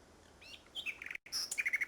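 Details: Common nightingale, Salthouse, Norfolk, 1 May 2011. A rising slur and quick chirps are cut by a brief gap, then a harsh note and a fast run of repeated whistled notes.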